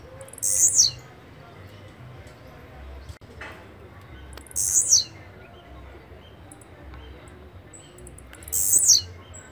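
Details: Blue-black grassquit (Volatinia jacarina) singing: a short, very high, buzzy note that sweeps downward, given three times about four seconds apart, with quiet low background hiss between phrases.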